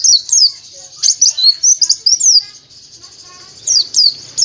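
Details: White-eye (pleci) song made of loud, high, quick down-slurred whistles and chirps in bursts, with a brief quieter gap midway before the chirps resume.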